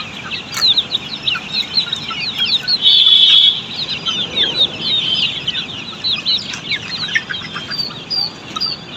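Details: Poultry farm Australorp chicks cheep rapidly in a crowded chorus of short high downslurred peeps, with a brief steadier whistle-like tone early on.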